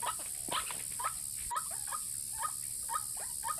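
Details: Lure recording of a white-breasted waterhen for drawing in males and females. Short, bent croaking notes come in an even series about every half second against a constant high-pitched hiss.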